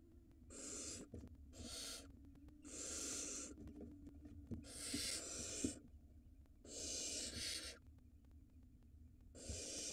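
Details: Nesting barn owl in Israel, seen on a live nest camera in the 2022 season during a mouse handover from the male to the female for the nestling: a series of harsh, breathy, noise-like hisses of uneven length, roughly every one to two seconds.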